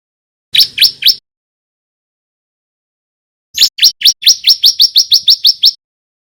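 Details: Young male bar-winged prinia, white-breasted form, practising song: three quick rising high notes, a three-second pause, then a rapid run of about twelve bright, upslurred chirps.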